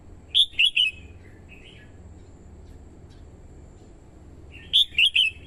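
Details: Red-whiskered bulbul used as a decoy to call wild birds, a female stirring males to sing. A crisp three-note whistled phrase, a soft warble, then the same phrase again about four seconds later.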